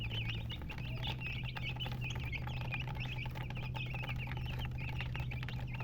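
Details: High, quick chirps from colour chickens (murgi) run almost continuously, with overlapping birds and a loud steady electrical-sounding hum below.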